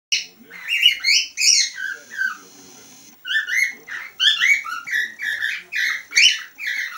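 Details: A whiteface cockatiel whistles a lively string of rising and falling notes, some clear and some slurred.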